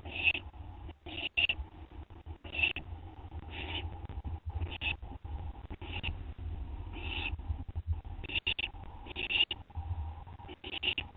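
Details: An owl feeding on a gopher delivered by its mate, recorded at 2:56 AM on 10 September 2011; a long run of harsh, breathy screech-hisses, roughly one every second, over constant low electrical hum.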